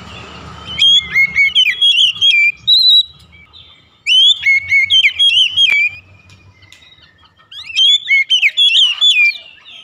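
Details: Home oriental magpie-robin, song used as a singing lure for other birds: three loud phrases of fast whistled, bending notes, each about two seconds long, separated by short silences.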